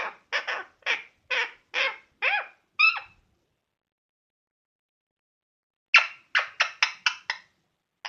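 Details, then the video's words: Pet parrot making varied sounds just before sleeping: a rapid series of short harsh chattering notes, a pause of nearly three seconds, then another quick run of the same notes, in a silent room. "My Parrot Making Different Sounds Before Sleeping"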